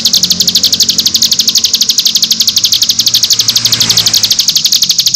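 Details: Nembak song of a cigun, used as tutor song for training birds: a long, rapid trill of high, rasping notes, even and continuous, with a faint low background rumble.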